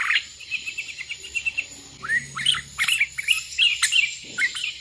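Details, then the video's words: Sooty-headed bulbul calling rivals as wild bulbuls answer: a quick string of short chirps, then sliding upswept whistles among several birds over background hiss. "Suara burung kutilang gacor memanggil lawan"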